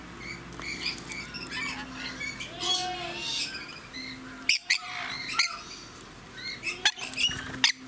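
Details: Red lories at a feeding station at Aloha Garden Tateyama, Chiba, Japan, 17 June 2018, sharing nectar juice with dominant rainbow lorikeets; harsh, screechy squawks and short shrill bursts, with a low steady hum and a woman speaking.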